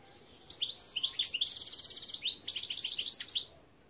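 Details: Sustained European goldfinch song (Gardelina): a lively tumbling stream of high twitters, quick trills and sharp repeated chirps lasting about three seconds.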